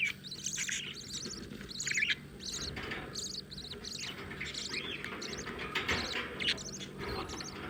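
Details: Newborn budgie chicks calling with dense runs of high, buzzy chirps and squeaky notes, repeated in quick clusters over a low steady hum.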